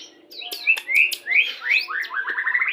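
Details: White-rumped shama singing a "pastol" style lure song, played during pairing to bring birds quickly into breeding condition: clear whistled notes sliding upward, then a fast run of short rising chirps at the end.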